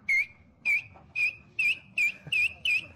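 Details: Parrot from Maranhão, Brazil, mimicking other bird species; a rapid series of seven piercing whistled notes, each briefly rising then falling, repeated roughly every half second.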